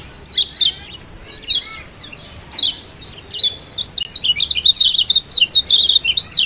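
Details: Lombok mountain white-eye, used as a lure to get reluctant birds singing, gives high, thin chirped phrases a second apart that break into a fast, sweet twittering run of rising and falling notes.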